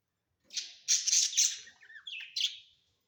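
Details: Budgerigars kept indoors as pets: a harsh, buzzy squawking chatter lasting over a second, followed by two shorter scratchy chirps.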